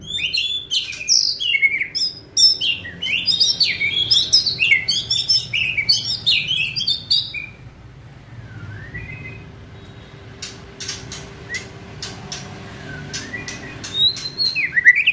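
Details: White-rumped shama singing to rouse other birds and quicken their song: a long run of rapid varied chips and whistled notes, then a soft slurred whistle and scattered sharp clicks.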